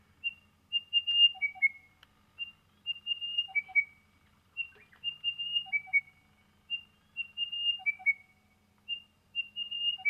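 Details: Crested Bellbird, recorded west of Brisbane, Australia, repeating clear whistled phrases of high piping notes with a falling slur and lower ringing notes, about every two seconds, starting very soft and building louder, over a faint low hum.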